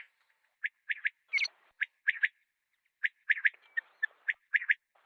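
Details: Common quail (batair) calling: crisp liquid notes grouped mostly in threes, each group spaced about a second apart, with a brief rougher burst in between; quiet background otherwise.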